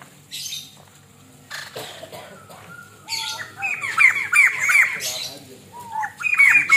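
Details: White-crested laughingthrush master recording for training: after scattered squawks, a fast series of sharply down-slurred whistled notes repeats about three times a second, ending with another rising burst.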